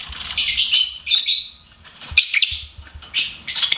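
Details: Pet lovebird singing and chirping: bursts of high, scratchy twittering notes in quick clusters, broken by short pauses, with a few soft low thumps underneath.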